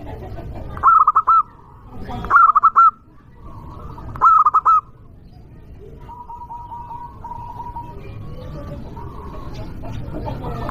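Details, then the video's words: Loud local zebra dove singing to draw out angry rivals: three ringing phrases of clipped tonal notes closing in a drawn-out coo, close together early on, then quieter distant cooing from other doves. "Perkutut lokal gacor suara keras juaranya burung perkutut"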